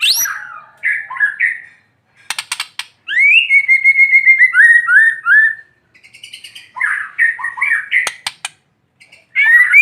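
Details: Morning song of a caged white-rumped shama set out in the sun to coax lazy shamas into singing; short whistled bursts, then a long sliding series of descending notes, with pauses and sharp clicks between phrases.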